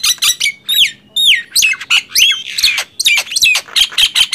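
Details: Nias hill myna and black-winged myna in a loud singing contest: loud, rapid bursts of harsh squawks, buzzy notes and sharp falling whistles, several calls per second with brief gaps.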